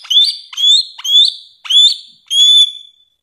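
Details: Bare-throated whistler, called samyong, endemic to Nusa Tenggara, repeats a short rising whistle five times at about half-second intervals, each note clear and ringing.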